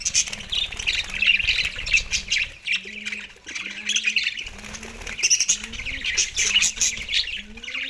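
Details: Budgies eating soft food on 4 December 2023 keep up steady high chatter and squawky chirps, while a low droning hum runs beneath.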